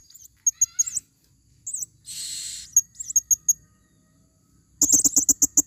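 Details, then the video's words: A female blue-crowned hanging parrot in forest, used as a lure call, gives thin, very high, sharp squeaky notes singly and in quick bursts, ending in a rapid scratchy chatter, with a brief rushing hiss midway. "Serindit Suara paling banyak...!!"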